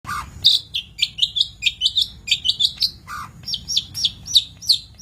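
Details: Long-tailed shrike song recorded as a master for training birds: quick run of bright, high chirps and short slurred notes, broken twice by a lower, fuller note, delivered in a busy, varied stream.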